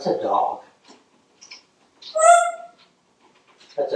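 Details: Pet African grey parrot in a home kitchen, answering the question of what a dog says with a mimicked dog-like sound: a single tonal, whimpering whine with stacked harmonics lasting about half a second, framed by a man's voice talking indoors.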